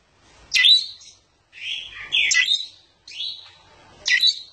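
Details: A sooty-headed bulbul (Pycnonotus aurigaster) in full song with its tail spread sings four short, bubbly, chattering phrases about a second apart, mid-pitched and liquid, with no other sounds.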